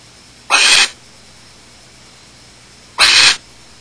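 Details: Barn owl at Starr Ranch, June 30, 2010, 9:27 PM: the male at the nest with chicks after mating, probably delivering prey, gives two harsh, breathy hissing screeches, each under half a second and about 2.5 seconds apart, against a quiet background.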